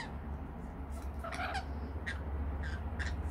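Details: Feeding on nectar, rainbow lorikeets utter a loud grating screech mid-way, then short sharp chirps repeated roughly every half second, heard over a persistent low-pitched hum.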